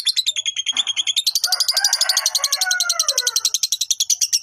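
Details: Lovebird's long ngekek trill aimed at rousing rival fighters: a fast, piercing pulsed rattle throughout, with a lower, sliding squeaky sound overlapping in the middle.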